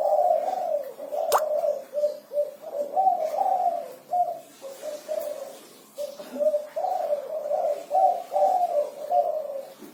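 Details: Spotted dove giving its lively six-note 'kuku 6' song: continuous low cooing phrases, a short gap midway, then another steady run of mellow notes; one sharp click near the start.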